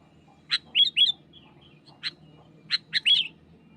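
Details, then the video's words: Sparse sharp notes from a wild sooty-headed bulbul pressing a rival: short clear chips and quick upslurred whistles in small groups with long pauses between, low hum faintly present. "SUARA GACOR BURUNG KUTILANG MENEKAN LAWAN"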